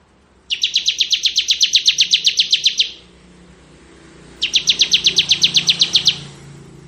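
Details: Two ngebren bursts from a bar-winged prinia (ciblek kristal). Each is a fast, even series of high chips, the first longer at nearly two and a half seconds, over faint low background hum.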